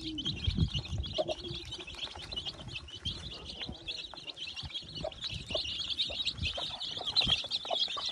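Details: Newly born chicks peep constantly as a hen hatches about thirty of them in her nest; shrill, rapid chirps overlap throughout, with occasional low clucking and rustling of nest material.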